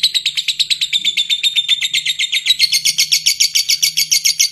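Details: Lovebird in ngekek, a rapid stream of high chattering notes at about four per second, slightly rising in pitch and growing louder across the phrase, with no pause.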